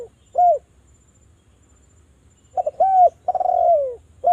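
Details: Spotted dove calling, used as a lure to prompt other doves to sing: loud, clear coos around mid pitch, a single note followed by a burst of two short coos and a longer, falling, drawn-out coo.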